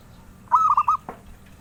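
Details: A single cooing phrase from a zebra dove, a bird collectors seek: a short rising lead-in followed by three rounded, evenly spaced notes, then a dry click.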